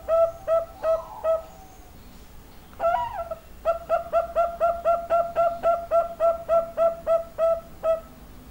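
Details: Young zebra dove with a big voice giving bursts of short hollow notes, a few spaced ones, then a drawn wavering note, followed by a long fast even series of clipped repeated notes, roughly four per second.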